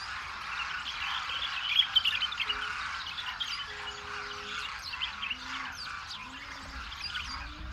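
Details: Demoiselle Cranes wintering in great numbers in Rajasthan, India, where villagers feed them grain; many birds call at once in a busy, harsh chatter with occasional louder squawks and a faint low hum.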